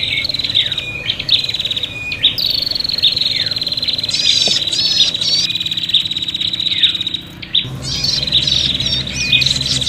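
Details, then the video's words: Prinias in an agitated, fighting exchange, a recording used to lure birds: dense, overlapping high chattering and buzzy trilled notes run almost without pause, with rising sweeps and short rapid bursts, over a steady low hum. "suara prenjak pikat ribut tarung"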